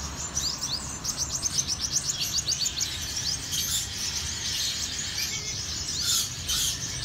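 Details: Black-throated sunbird, a kept bird, giving a rapid run of thin, high twittering chirps that repeat steadily for several seconds, with a faint background hum.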